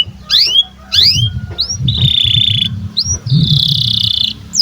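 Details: Canary in breeding condition, training young birds: rising double notes, then high steady buzzy trills and short upward whistles over a low rumble.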